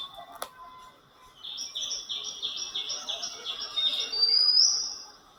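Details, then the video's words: Oriental Magpie-Robin heard nearby in the morning at Mahadevwadi, where a family of parents and two young fed; a quick run of high alternating whistled notes, about four per second, ends in a bright rising whistle, over faint background noise. "जवळच दयाळ पक्षाची कर्णमधुर शिट्टी ऐकू आली"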